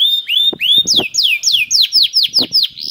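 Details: Singing canary used as a prompt for other canaries: a level whistled note followed by a series of loud downward-sliding whistles repeated about four times a second.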